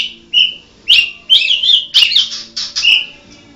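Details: Song of a mottled Medan white-rumped shama: about seven loud, bright whistled bursts in quick succession, each a slurred note with sharp high accents, spaced roughly half a second apart.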